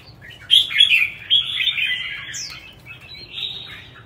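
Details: Red-whiskered bulbul competition song (chào mào hót đấu): a strong, fluid warbled phrase with bright whistled accents, a single high downslurred note, then a softer trailing warble.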